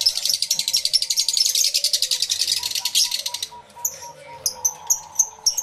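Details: Lovebirds in an aviary, recorded live in stereo: a long rapid buzzy rattle, then sharp high chirps repeated roughly twice a second.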